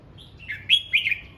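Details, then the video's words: Red-whiskered bulbul practising its voice in morning song: a soft high opening note, then a falling slur and two loud bright whistles that run into a drawn-out wavering tone. "Chào mào hót luyện giọng"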